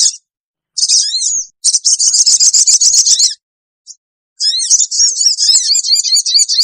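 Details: Lure recording of sogon, sooty-headed bulbul, to attract wild birds: rapid, high, buzzy chattering runs of tightly repeated notes lasting one to two seconds, broken by silences and a single short chip.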